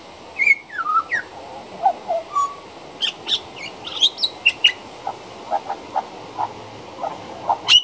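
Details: Juvenile pied butcherbird song near a back door, opening with clear descending whistles, then a long run of quick clicking and chirping notes repeated roughly twice per second, over a steady background hiss.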